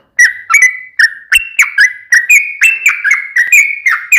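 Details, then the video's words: Sooty-headed bulbul in long 'ropel' fighting song meant to provoke an answer; repeated ringing whistles stepping slightly higher over the phrase, with one soft thump partway. "KICAU SUARA trucukan gacor TARUNG ROPEL PANJANG"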